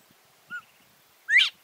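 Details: Northern bobwhite rooster singing in the morning: a short clear whistle, a pause, then a loud whistled note sweeping sharply upward, the two-part bob-white pattern, against a quiet background.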